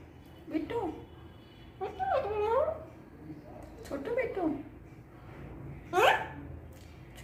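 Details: Pet pahadi parrot talking indoors: four separate bursts of speech-like squawked syllables with wavering, sliding tones, spaced about two seconds apart, over a low room hum.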